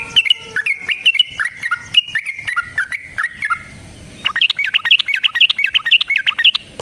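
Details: Long fighting song of a yellow-vented bulbul used as a lure for other bulbuls: rapid warbled phrases of quick slurred notes, then a higher, busier stretch of bubbly chatter.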